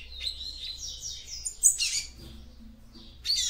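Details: Female yellow-bellied seedeater song meant to warm up a male: a flowing sequence of high, slurred twittering notes, then a louder buzzy burst, a faint low hum, and a short chirp at the end.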